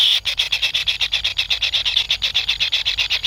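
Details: Kingfisher nestlings begging for food from a parent: a fast, regular series of high, rasping buzzy pulses, roughly four each second, continuing throughout.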